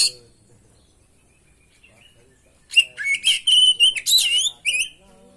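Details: Vigorous oriental magpie-robin song with varied phrases, recorded as a training lure: after near silence, a rich, fast outburst of sweet whistles, buzzy trills and sliding notes lasting about two and a half seconds.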